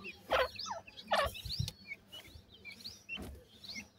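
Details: Chicks of the white teetar francolin feeding, giving scattered high squeaky chirps while two loud rough clucking bursts and soft low thumps stand out early, with more chirping afterwards.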